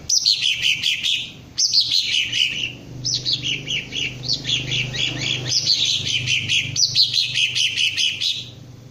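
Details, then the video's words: Green leafbird (cucak ijo), a kept bird being trained to raise its crest and sing in the ngentrok style: fast repeated bursts of bright chirping notes, falling in series, broken by short pauses, over a steady low hum. "Cara melatih Cucak Ijo agar mau njambul dan ngentrok"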